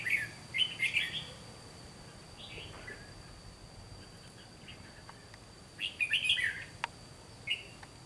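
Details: Red-whiskered bulbul decoy used to trap wild birds, giving fighting song: a few bright warbled phrases at the start and again near the end, with quiet gaps and a few clicks between.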